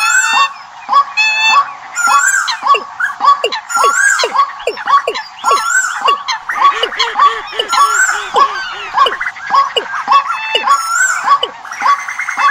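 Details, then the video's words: Compilation of bird decoy calls played as a lure for the migration season: a dense mix of varied whistled, chirping and trilled notes repeating rapidly, several kinds of calls overlapping, with the low end sharply cut off. "Tổng hợp tiếng Chim mồi mùa Di cư"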